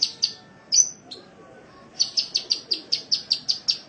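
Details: Cage-bird training recording of a sunbird from Indonesia: two sharp high chirps, a brief upslurred whistle, a pause, then a fast, steady series of piercing chirps.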